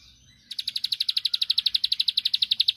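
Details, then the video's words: Bar-winged prinia song meant to provoke a rival into answering: after a short pause, a rapid, even run of sharp, high, pulsed chips repeats about ten times a second, steady in pitch and loudness to the end. "Tembakanny Ampuh Pancing Emosi Lawan //Pasti Langsung Nyaut Gacor"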